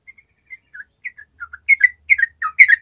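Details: Sooty-headed bulbul in spirited song, played to prompt reluctant bulbuls: soft scattered whistled notes that grow louder and closer together into a bright, bubbly run of warbled phrases.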